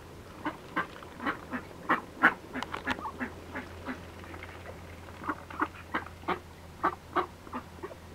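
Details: Red-billed teal among other ducks, giving short nasal quacking calls in a rapid irregular series, roughly three per second, with several birds overlapping and a steady low hum underneath.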